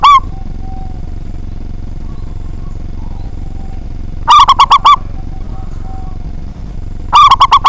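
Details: Local zebra dove singing freely with a big voice, used to stir rival doves into singing: a single coo, then two quick rattling phrases of five to six ringing notes each, about three seconds apart, over low-pitched background noise.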